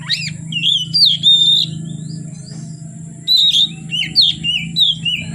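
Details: Singing oriental magpie-robin heard from afternoon until dark: quick varied whistled notes, upward and downward slurs and buzzy chips in a rapid phrase, a pause, then another lively burst; steady low hum behind.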